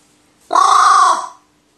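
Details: Kept crow, highly excited by a toy grip it was given, recorded 12 May 2019: a single loud, harsh, drawn-out caw lasting under a second, steady and rasping, fading at the end in a quiet room.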